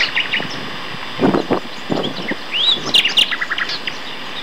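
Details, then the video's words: Common nightingale song from two males at Castor Hanglands, near Peterborough, in May 2012; scattered chirps, a swooping whistle and fast clicking notes, with low rumbling background noise. "Nightingale Duet"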